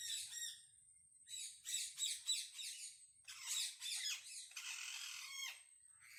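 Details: Wild parrots calling to communicate, producing bursts of harsh, raspy squawks in quick rough series, about three groups over six seconds, with short quiet gaps and a thin steady high whine running behind.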